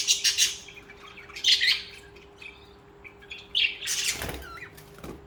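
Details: Budgerigar singing and chirping: clusters of rapid high chirps and chattering warbles in bursts, with a louder scratchy burst near the end, steady faint hum behind.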